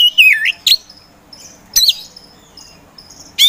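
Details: Oriental magpie-robin, poci variety, kept as a provoker bird for contest birds, gives a falling whistled phrase, then scattered sharp chirps separated by long pauses, with faint high notes in the background.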